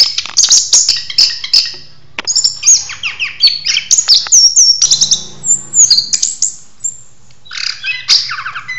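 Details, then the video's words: Orange-headed thrush singing during a mating ritual, delivered loud and lively: a rapid, varied run of high whistles, chirps and sharp trills with brief pauses, dense phrases packed closely together. "Ritual Kawin Anis Kembang - Volume Kencang Gacor"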